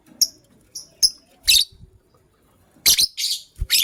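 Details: White lovebird pair, a matching couple, in the morning: short thin high chirps early on, then harsh, buzzy, scratchy chirp bursts in quick clusters, with faint low thumps between calls.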